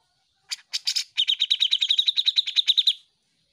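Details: Energetic Grey-cheeked bulbul song used as a master track for training cage birds: a few rough, scratchy notes, then a rapid series of about fifteen bright, repeated chirps, each slightly bent in pitch.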